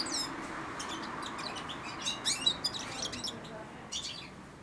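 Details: Young European goldfinch, four months old, twittering subsong inside its cage while taking food from a hand; short sharp high chirps and warbled bursts come in quick irregular runs over faint room noise.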